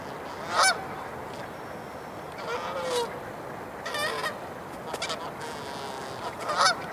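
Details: Canada geese preparing for a gang fight at Dufferin Islands, December 9, 2022: loud, harsh honks burst out at intervals of one to two seconds between quieter stretches, over constant background hiss.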